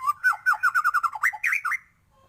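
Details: White-rumped shama in lively song full of fill phrases: a rapid string of evenly spaced, wavering whistled notes at mid pitch. Two higher twisting whistles close the burst, then it falls silent.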